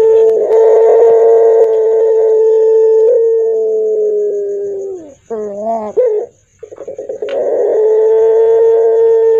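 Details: Hoarse, deep pelung Barbary dove: a long steady low coo held for several seconds, dropping away into short wavering, broken notes, then a burst of rough pulses leading into another drawn-out droning coo.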